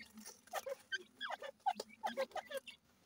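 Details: Captive irani teetar (francolin) chicks growing up: short, clear peeping chirps, some dropping slightly in pitch, given in quick irregular series about three per second, mixed with soft rustling and tapping.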